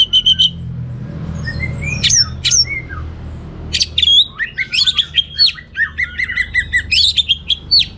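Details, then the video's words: Orange-headed thrush delivering lively 'teler' song full of varied material: brief high chips and sliding whistles, then a fast sequence of rapid sharp repeated notes and twisting squeaky phrases, with low background hum. "Suara Gacor Burung Anis Merah Teler Materi Melimpah"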